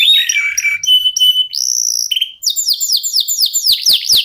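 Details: Local canary (kenari lokal) song used to prompt other birds to sing: level whistled notes and short buzzes, followed by a rapid run of falling whistled sweeps.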